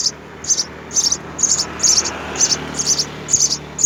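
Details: Three house sparrow chicks at the nest, fed by mother and father, give eight bursts of high, scratchy chirps in about four seconds, evenly paced.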